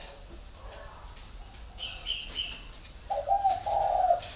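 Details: Spotted dove from a home flock in Ba Vì, Hanoi, Vietnam: after brief higher chirps, one mellow cooing phrase of linked throaty notes ends the recording, over a low hum.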